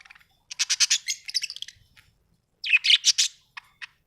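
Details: Happy budgie chirping in two quick rattling runs of rapid high tweets, about a dozen notes each, separated by a brief pause, then a couple of single chirps.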